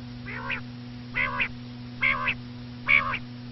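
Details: Four soft, nasal, harmonic notes, each slightly doubled, evenly spaced under a second apart, attributed to a common quail, with a steady low hum behind.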